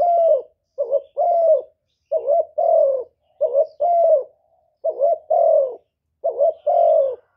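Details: A spotted dove used as a decoy coos in a duel with a wild rival: repeated low, hollow coos, each a short note then a longer falling one, paired about every one and a half seconds.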